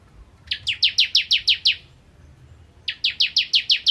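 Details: Ciblek kristal, the bar-winged prinia, delivering its nembak ngentrok song: two bursts of quick, piercing downward-sweeping chips, each series about eight to ten notes, separated by a silent gap of roughly a second.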